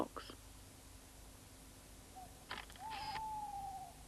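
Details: Tawny owl at a large nest box in Wytham Wood, about three miles west of Oxford, on the night of 15 April 1973, during nesting: a short note, then a long, steady, slightly wavering hoot that drops at the end, with soft knocks and rustles.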